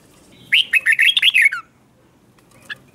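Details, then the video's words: Red-whiskered bulbul morning song for training: one quick, cheerful phrase of about seven slurred whistled notes lasting roughly a second, then quiet with a faint chirp afterward. "Luyện chào mào hót sáng"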